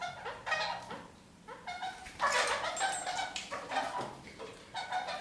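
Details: Kakariki climbing upside down on a ceiling utter a run of harmonic, slightly nasal calls and squeaks, with a louder burst of chatter near the middle and quieter notes between.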